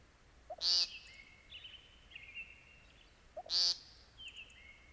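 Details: An American Woodcock gives two abrupt, buzzy nasal notes about three seconds apart. Between them, soft sustained whistles and trills from other creatures carry on quietly.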